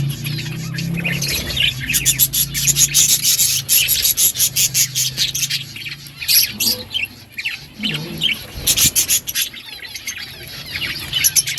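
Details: Several budgerigars eating green food, giving a dense stream of high, scratchy warbles and rapid chirps, many overlapping voices throughout, with a low hum underneath.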